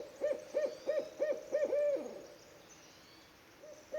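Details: Barred owl calling at night in a North American forest in spring; a quick run of six short, even hoots about three per second, closing on a longer drawn-out note, then quiet.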